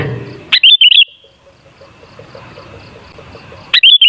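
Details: Sooty-headed bulbul singing, offered as a lure recording to get bulbuls singing hard: a quick warbled phrase of three or four bubbly notes, a pause of nearly three seconds, then the same phrase beginning again.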